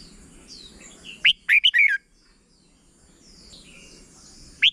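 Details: Thai red-whiskered bulbul singing a short doubled song, used to teach young birds. One loud phrase of four or five bright, downward-slurred whistles, then soft faint chirps, and a single sharp note at the end.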